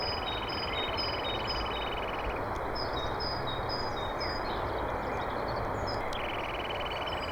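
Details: A male Eurasian nuthatch sings near its nest while the nest is being built, giving a fast, even trill of high repeated notes in two bursts over steady broadband noise, with faint high chirps from other birds.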